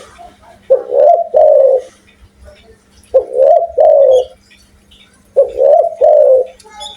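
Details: Spotted dove from Indonesia, described as calling eagerly with a big voice, giving three deep mellow cooing phrases, each a rising then falling two-part coo, spaced about two seconds apart, with faint low hum behind.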